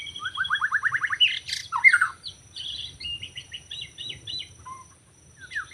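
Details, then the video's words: Wild forest white-rumped shama, captured while trapping birds, Lombok mentioned: a fast series of eight falling notes, a sharp burst, then high clipped trills and a low whistle, fading to near quiet. "Rekaman suara asli murai batu hutan ketika sedang mikat"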